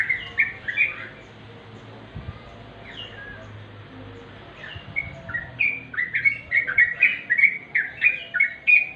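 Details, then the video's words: Sooty-headed bulbul heard naturally: a few chirps, then a quiet pause with scattered soft notes, followed by a steady rapid series of bubbly chirps to the end. "remang² trucuk.suara asli"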